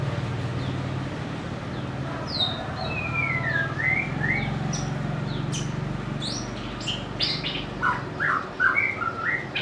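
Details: White-rumped shama singing, a bird noted for its varied voice and mimicry: clear whistled phrases sliding down, then up, followed by sharp high notes and quick rising slurs, over a steady low hum.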